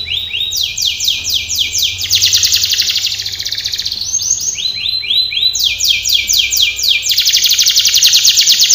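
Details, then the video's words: Canary training song alternating tours of fast repeated descending notes with dense, rolling trills, the pattern cycling twice with a short pause between. "canary singing / canto Canario cantando | canary training song"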